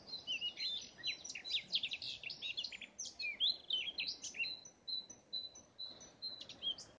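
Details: A garden warbler at Gniben, Denmark, on 30 May 2017 sings a long, rapid, rich warbling phrase of liquid chirps and slurred notes, blackcap-like, running unbroken for several seconds, with light background hiss.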